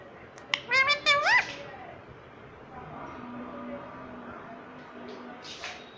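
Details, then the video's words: Indoor talking parrot makes a quick burst of rising harmonic squawks lasting about one second, followed by soft background noise and a faint distant tone. "ये तोता सब कुछ बोलता है || parrot talking everything"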